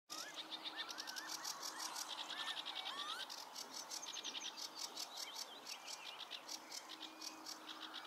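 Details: Bluethroat singing at Klingaväl on 16 May 2022: a fast, varied run of high ringing notes, buzzy trills and slurred whistles, with a steady low hum and faint chirping behind.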